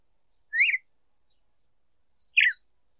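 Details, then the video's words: Female red-cowled cardinal singing to stimulate the male: two short, clean chirped phrases about two seconds apart, the first rising then falling, the second a descending slurred note, with no background noise. "Fêmea de galo-de-campina cantando para esquentar macho"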